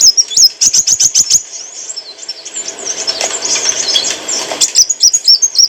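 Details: Olive-backed sunbird song for tutoring cage birds: rapid high chipping notes open into a hurried, scratchy warble over rushing noise, ending with sharp repeated chirps.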